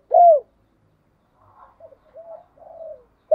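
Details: A single strong downslurred coo from a morning-calling decoy spotted dove, followed by faint soft murmuring notes and the start of another coo.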